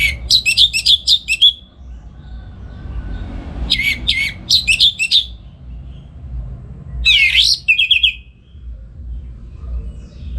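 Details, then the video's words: Orange-headed thrush kept at home in Singaraja, North Bali, sings in the morning as a master for other songbirds; three bursts of quick repeated whistles and trills, with a loud swooping note and short rattle later, gaps between. "Pagi Hari Hari ANIS MERAH Ngeplong Gacor Untuk Pancingan & Masteran Burung Dirumah"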